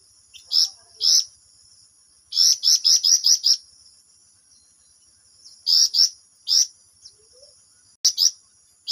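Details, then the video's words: Flamboyan song in the lively 'ngerol' style, sharp high chirps in short bursts, one run of six quick notes, separated by pauses, over a steady faint high tone. "flamboyan gacor ngerol beset panjang"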